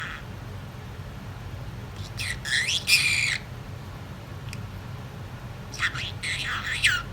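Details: Talkative pet female budgerigar that learned to imitate a sneeze, indoors: short, sharp, hissy bursts with chirpy edges, one pair around the third second and another near the end, over a quiet room hum.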